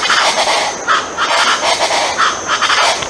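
Colombian chachalacas give loud, harsh, overlapping cackles that run together into a raucous, rolling chorus.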